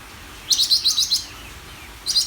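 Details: Greater green leafbird giving a fast, high chattering burst of about seven sharp notes, then after roughly a second of quiet a new burst begins.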